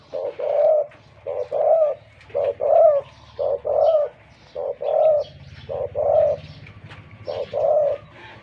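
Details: A deep-voiced spotted dove kept as a decoy, wild-caught, calls a long, regular series of paired coos. Each pair is a short note and then a fuller rounded coo, about one pair per second, against a low background hum.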